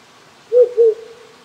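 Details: Two quick low hoots, steady in pitch and spaced a quarter second apart, trailing into a faint sustained tone, from a wild owl living on a small hill by a countryside house in Japan at night, in cold spring weather.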